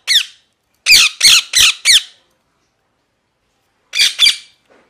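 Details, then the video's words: Parrot repeating strident downslurred squawks: one single, a fast string of four, a long silent pause, then two more. "Parrot Chirping Sounds | Natural ParrotSounds | Parrot Calling Sounds"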